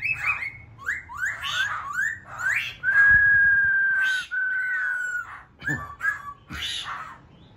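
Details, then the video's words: Wild-caught laughingthrush singing a series of rising whistled notes, then a long steady whistle and a few short downslurred phrases with sharp clicks. "khướu bổi hót"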